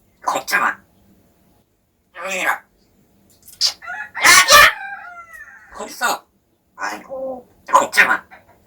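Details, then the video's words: Pet parrot practising speech, its pronunciation said to be improving; short harsh syllable bursts come in quick irregular runs with brief pauses between them. "발음이 점점 좋아지는 앵무샤"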